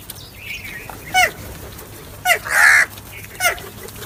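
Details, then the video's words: Crow giving harsh, raspy caws: short ones spaced about a second apart, with one longer drawn-out caw in the middle, over a faint background hiss. "Crow Sounds"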